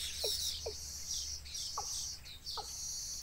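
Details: Baby birds at a wild nest begging their mother for food, loud shrill high chirps in quick overlapping bursts, with four short descending notes lower down and a faint steady background hum.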